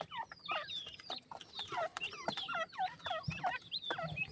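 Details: A group of captive Black francolin chicks, said to be weakening, keep up dense peeping: rapid thin whistles that curve downward, many overlapping, plus occasional dull thumps.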